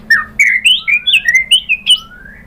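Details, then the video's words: White-rumped shama song used to provoke other birds into song: loud varied whistled phrases, rising and wavering, with a long thin upslurred whistle underneath and a faint steady hum. "KICAUAN MURAI BATU bikin NYAUT ikut BUNYI jadi GACOR BONGKAR MATERI ISIAN ¦ PANCINGAN MURAI"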